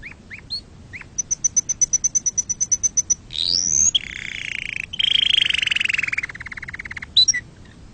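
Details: Canary singing to teach chicks and for mating: a few upslurred notes, then a fast high ticking trill for two seconds, a sharp rising sweep and a long rolled trill that drifts gently downward.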